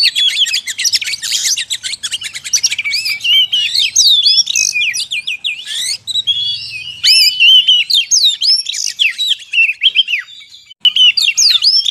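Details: Oriental magpie-robin song used as a lure for wild birds in the forest: long, busy run of varied whistles, upslurred and downslurred notes and harsh rattling phrases, nearly unbroken, with one short gap near the end.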